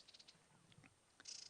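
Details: White-browed Scrub Robin alarm calling in South African bush during a morning drive, apparently at a pearl-spotted owl: a few quick, harsh high ticks, then a dry, buzzy rattling churr, faint against a quiet background.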